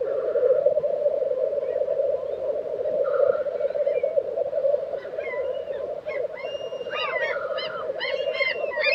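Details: Black grouse at the lek in Tiveden, Sweden, in April 2023: a steady, dense low bubbling chorus rolls on without a break, while sharper chirps and whistles from other birds come in during the second half.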